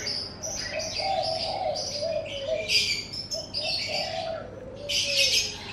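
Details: Birdsong recorded in the morning in front of a house: bright high chirps and twittering phrases in bursts, with lower soft cooing notes running beneath throughout.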